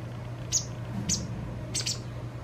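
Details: White wagtail fledgling, two days before independence, being fed its fill by a parent, giving thin, very high, short begging notes, three or four in two seconds, over a steady low mechanical hum.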